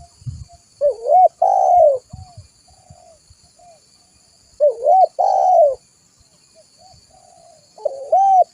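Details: Spotted dove used as a lure, repeating a three-part coo phrase, a short rising note, a longer wavering coo and soft trailing notes, about every three to four seconds in quiet surroundings.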